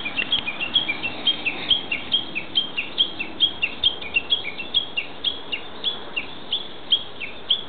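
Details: In the woods of a nature park, a Japanese bush warbler keeps up a long, fairly even run of high, sharp chirps, each paired with a lower falling slur, about two or more per second for several seconds.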